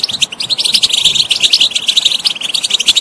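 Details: Goldfinch song for stimulating a non-singing bird: quick, sweet high twittering with buzzy trilled notes, steady and continuous throughout.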